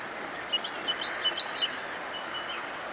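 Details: Great tit singing: a faint run of high, thin two-note phrases repeated quickly for about a second, over a steady hiss of background noise.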